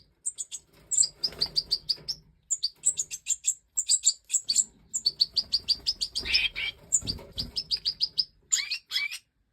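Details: Breeding Major goldfinch (Stieglitz Major), 2024: a long, fast, almost continuous liquid twitter of high chirps in quick runs, with a few harsher rasping notes near the end.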